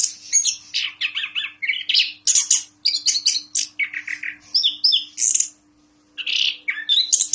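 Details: A prize-winning captive Orange-headed thrush, once a cup champion in Yogyakarta, pours out a fast, varied song of bright whistles, sweet trills and scratchy chattering phrases, with one brief pause; a faint steady hum runs beneath.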